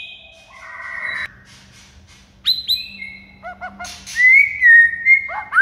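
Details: White-rumped shama tutor song aimed at drawing a quiet shama into singing. Soft whistles open it, followed by a lull, then bright chips, a quick stuttered series and a long sweet whistle ending in rising notes.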